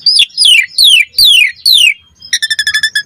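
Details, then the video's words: Asian pied starling song meant as a lure for other birds to answer, five descending slurred whistles in quick succession followed by a rapid rattling burst of harsh notes. "Pancingan Jalak Suren Gacor Cepat RESPON Auto NYAUT Buat Masteran Suara Burung Jalak"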